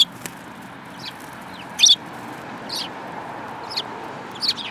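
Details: Sparrows, a yellow-beaked one among them, recorded 25 February 2018: a few short, high chirps spaced about a second apart, some in quick pairs, over a steady low hum of background noise.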